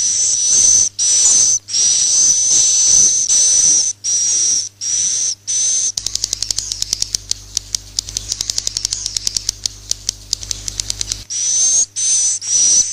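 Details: Swiftlets giving roosting calls for luring: rows of buzzy, hissing high chirps. Partway through they give way to several seconds of fast, dry clicking over a low hum, then the chirps resume.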